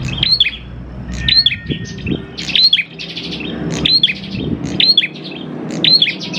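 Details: Prinia song played as a lure to get prinias singing: six lively high chirped phrases, roughly one per second, each a quick bright flourish of sharp notes, with faint low rumbling and a few knocks in the background.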